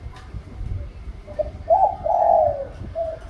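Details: One spotted dove phrase: a soft opening note, a stuttered double coo, a long wavering descending coo and a faint final note, with low background noise throughout.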